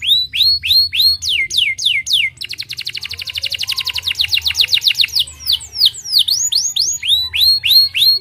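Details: Canary singing a continuous song: rising whistled notes repeated several times a second, then a fast, even trill of short buzzy notes, then upswept and downslurred whistles, with a low steady hum underneath.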